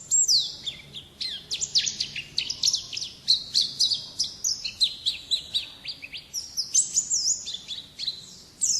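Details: Oriental white-eye singing the wild-type 'ngalas' way, a long, hurried warble of very high, sharply descending whistle notes strung together in quick bursts.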